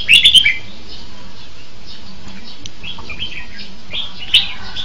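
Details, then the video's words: Red-whiskered bulbul singing: a loud burst of quick, bright chirping notes at the start, then softer scattered whistled phrases over a steady low hum. "Tiếng chim chao mào hay hay nhất"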